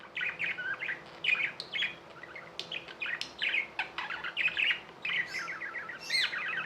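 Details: Tame budgies chattering steadily: quick warbled chirps and rapid trilled runs rising and falling, bursts every half second or so, a soft constant hum beneath.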